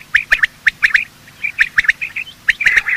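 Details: Male and female quail morning call used to lure quail for hunting: clear run of short, squeaky, slightly rising notes in quick pairs and triplets, with a few soft clicks.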